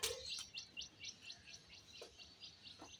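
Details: A pet white Java sparrow gives a steady run of short, high, dry chirps, about three per second, with a couple of sharper clicks breaking in.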